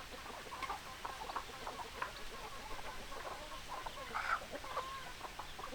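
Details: Hens clucking: steady chatter of short, rhythmic clucks from several birds, with a louder squawking note partway through, over a hissy farmyard background.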